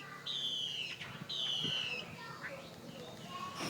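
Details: Tame Chinese hwamei of the fighting type, Northwest Vietnam origin, in Saigon, producing two long, clear whistles that slide gently downward, separated by a short pause, against a noisy background.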